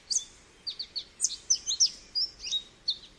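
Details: Lively series of sharp, high chips and short down-slurred whistles from an American goldfinch, uneven in spacing and running continuously for about three seconds.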